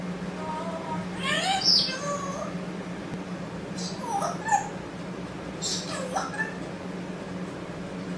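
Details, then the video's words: Talking parrot imitating speech in short, softer voice-like bursts with gliding harmonics, three phrases spread across the recording above a constant low hum. "Parrot speaking..."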